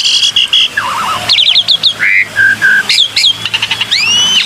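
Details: Black-winged myna calling in a lure recording: buzzy bursts, a low warbled note, quick rising whistles, short level whistles, then stuttering clicks and a long upward-sliding whistle.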